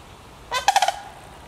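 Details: A sandhill crane from a family group in Petoskey, Michigan gives a brief, loud, rolling rattle: one rough note, then four quick trumpeting pulses in under half a second. Nothing else is heard.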